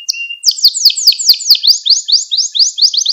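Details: Canary training song for teaching young canaries: a short whistle, then a long run of fast repeated downslurred trills, high-pitched and steady, about two to three notes per second.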